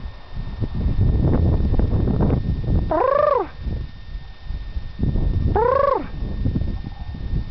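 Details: Two newly arrived Sandhill Cranes about 30 feet away on Diamond Ridge, Homer, Alaska, give two loud, rolling trumpet calls that rise then fall, a few seconds apart, over wind rumble and a man speaking.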